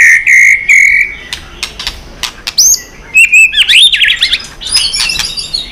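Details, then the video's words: Competition-singing white-rumped shama, tail flicking, in long forest-style song: steady whistled notes repeated several times, then high sweeping notes and a quick jumble of loud twisting whistles. "chòe lửa tạch đập đuôi kích lửa hót đấu căng lửa.luyện chòe lửa hót nhiều giọng rừng dài"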